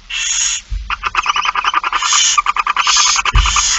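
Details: Begging at a barn owl feeding, 8 September 2019, 16:02: a long rasping hiss, then dense rattling, clicking pulses and more hisses, with a couple of low thumps.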